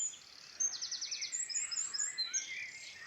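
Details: Bird song in Ireland's Midlands: a quick rattling trill of rapid repeated notes, then high thin whistles and twittering phrases from several birds, fairly close and clear.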